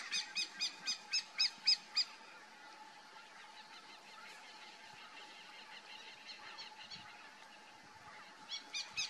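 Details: A crane hawk (Geranospiza caerulescens) perched at its lookout point gives a quick series of nasal, honking notes, evenly spaced and repeated.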